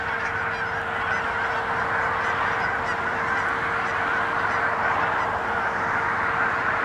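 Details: Canada geese, thousands of them on a pond in Hutchinson, Kansas, on January 25, 2011, with a bald eagle perched nearby; a dense, continuous chorus of overlapping nasal honks with no pauses, plus a steady low hum throughout.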